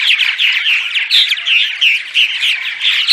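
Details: Purple martin morning vocalizations, used as playback to attract martins to nest houses: a steady stream of rich, gurgling chirps and throaty chortles, fairly high-pitched and overlapping, with no other clear sounds.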